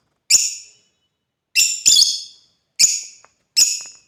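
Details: Five strident, rasping chirps from playing African lovebirds, one quick pair among them, evenly loud with fast decay and brief silences between.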